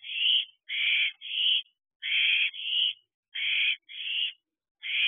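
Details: Young owls at a nest box at night in late June, a series of harsh, noisy rasping screeches about half a second each, given in quick uneven runs with brief silent gaps.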